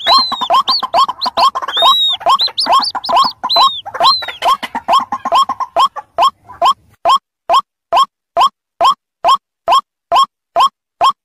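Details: Adult and chick white-breasted waterhens combined as a lure: overlapping rising yelps and high arched whistles give way to a clean, evenly spaced train of single rising notes roughly every half second.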